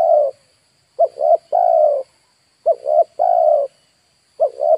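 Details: Spotted dove lure bird calling wild birds, Indonesia: repeated phrases of two quick coos and a long level coo, roughly every 1.7 seconds, clean with no other sounds.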